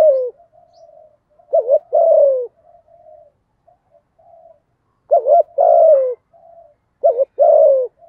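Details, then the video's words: Lure spotted dove in 'giọng thổ' style giving 'thúc gù' calls meant to provoke wild doves: three loud phrases, each a quick wavering double coo then a long descending coo, separated by quiet soft murmuring notes. "cu gáy giọng thổ THÚC GÙ, chim cu gáy kích bổi"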